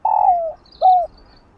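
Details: End of a spotted dove (cu gáy) cooing phrase: a long coo gliding downward, a short gap, then a shorter falling coo; recorded to stimulate slow-cooing captive doves.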